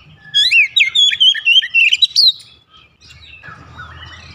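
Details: Oriental magpie-robin therapy song for a bird that is reluctant to sing: a two-second burst of varied high whistles and sharp chirps, then low hum and faint noise.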